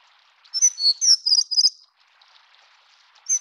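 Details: Plumbeous redstart, Taiwan's endemic stream-dwelling subspecies affinis: about a second of high, jingling twitter made of quick sharp notes, then near silence and one more brief high note at the end.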